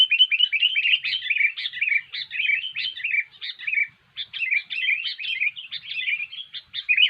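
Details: Continuous gacor song of a sooty-headed bulbul, cengkram style, for luring birds to traps: rapid, loud, bubbling chirps tumbling almost without pause, with one brief break near the middle.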